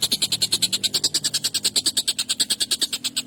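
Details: Collared kingfisher giving an excited, long, sharp, harsh call used for training songbirds: a rapid, steady series of grating high notes, about six per second, continuing throughout without pause.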